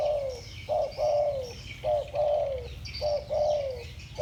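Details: Spotted doves in the 'thổ bầu' voice calling against each other; three loud, clear coo phrases, each a short hoot followed by a long note that slides downward, spaced about a second apart.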